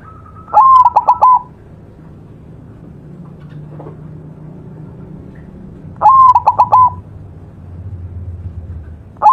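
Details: Repeated song of a white zebra dove: cooing phrases roughly every five and a half seconds, each a rising held note broken into rapid short notes and ending on a steady coo, with a third phrase starting at the end.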